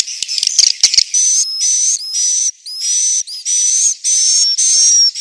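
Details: Central Sulawesi swiftlet roosting call: a short flurry of clicks, then a series of hissing high chirps containing thin rising and falling whistles, repeated with brief gaps.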